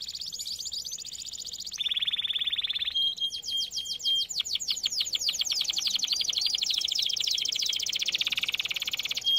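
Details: Training song of a canary: a high rolling trill switches to a lower buzzy roll, then long stretches of very rapid repeated notes with a steady whistled tone running beneath.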